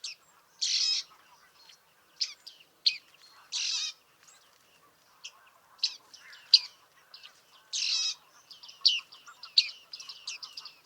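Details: Bearded reedling in Liepāja, Latvia, July 2023, alternating longer buzzy rasps with sharp metallic chips, the calls loose and irregular, background otherwise still.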